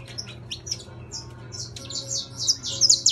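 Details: Captive saffron finch of intense yellow plumage singing: sparse high chirps at first, building into a dense run of bright, rapid notes toward the end, with a low background hum.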